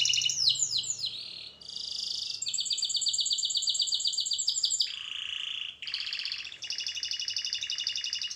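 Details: Canary singing a training song: rapid trills and buzzy rolled tours at high pitch, downward-sweeping whistles at the start, then a lower rattling tour and bright repeated trills.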